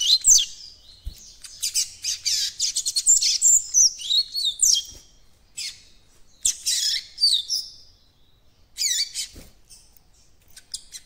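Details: A well-grown young yellow-bellied seedeater in song training gives subsong, trying to start its song: rambling, high chirps and twittering fragments in uneven bursts with short pauses, an unfinished song still taking shape.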